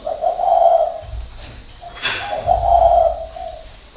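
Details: Spotted dove kept caged as a decoy in northern Vietnam, cooing two low, hollow, slightly wavering phrases about two seconds apart, with a sharp click between them.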